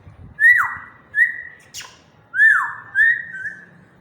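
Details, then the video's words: African grey parrot in a happy mood: loud paired whistles, each starting high and sliding downward, repeated about every second, with one sharp click between pairs. "African grey talking in slow voice"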